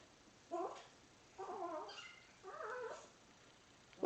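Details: An uncaged three-year-old male Indian ringneck parakeet chatters clearly to his new toy monkey, received on 5 January 2015. Three separate bursts of raspy, word-like syllables come about a second apart, with quiet gaps between them and a sharp click at the end.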